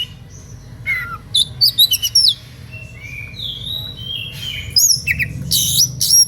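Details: Oriental magpie-robin singing emotionally to draw other magpie-robins into singing: sweet high whistled notes, quick chirps and long level tones, then a burst of harsher buzzy notes near the end, over low background hum.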